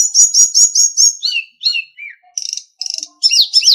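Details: Sulingan songbird master recording for training captive birds: a run of five high, clear whistled notes repeated about every fifth of a second, then falling slurred whistles and bursts of buzzy, rattling chatter.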